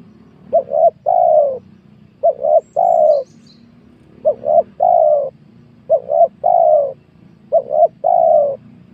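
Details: Spotted dove cooing in a small oil palm plantation where wild doves are being lured. The three-note phrase, two quick short coos and one drawn-out coo, is repeated five times about every one and a half seconds over a low steady rumble.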